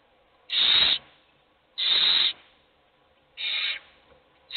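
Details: Owl chick begging in a nest box, all nestlings hungry but only one eating: three clean hissing screeches, each about half a second, spaced over a second apart against quiet.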